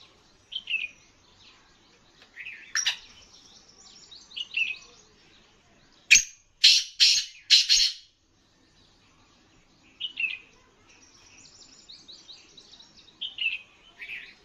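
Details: Caged black francolin (kala teetar) of the Sindhi type, offered as an alert bird; high chirping notes alternate with a loud burst of four harsh, broadband rasping calls in mid-sequence, with softer chatter before and after.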